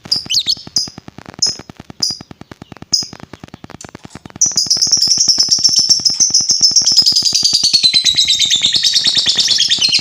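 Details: Provoking lovebird sound: a series of sharp, clipped high chirps about half a second apart, then a sustained, shrill, chattering trill that wavers and sinks in pitch, over constant rhythmic ticking.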